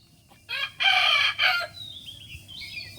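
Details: Rooster crowing: a loud harmonic crow of about a second, broken into short bursts, followed by faint high chirping from other birds.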